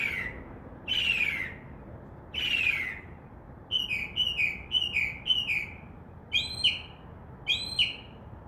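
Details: Night-singing Northern mockingbird outside a window, imitating other birds and sounds; three broad harsh downslurred notes, then a quick run of chirps and a pair of high two-tone notes.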